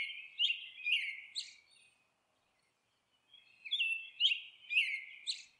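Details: A monk parakeet at the nest utters a burst of raspy, downslurred squawks, falls silent for over a second, then repeats a similar burst of grating notes.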